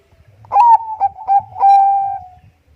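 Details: Bangkok-type zebra dove singing energetically, used as a lure to prompt other doves to sing: a rising cooed note, two short clipped notes, then a long level mellow coo. Faint low rumble underneath.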